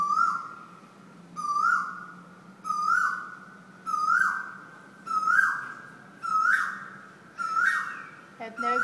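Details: Bird in Thailand that wakes people every morning with loud calls; a mid-pitched whistled note rising in a step, then sliding down, repeated about every 1.3 seconds, seven times, with a person's voice briefly at the end.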